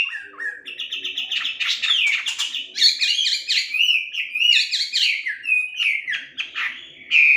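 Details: Chinese hwamei (wambi), the melodious laughingthrush, a kept bird in a training session meant to make it sing actively. It delivers a continuous, varied stream of rich whistled phrases, quick slurs and rolling trills, loud and unbroken, with no other sounds.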